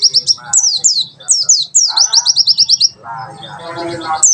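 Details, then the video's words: Tembakan sejalur song of a white-eye, kept as tutor material for young birds: quick runs of thin, high descending whistles repeated in tight strings, then a softer lower twittering at the end. "Pleci tembakan sejalur"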